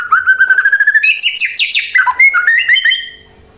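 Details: White-rumped shama song used to lure other birds into replying and singing: a run of rapid whistled notes near one pitch, then a burst of varied, sweeping phrases climbing higher, ending in quick rising chirps before fading.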